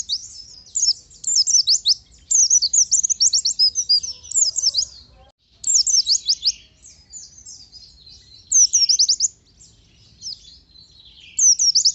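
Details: Oriental white-eye singing in the rapid, bursting style locally called nembak, played to make other white-eyes sing freely: high, thin twittering phrases of quick sweeping notes, delivered in dense bursts of one to two seconds with short pauses between.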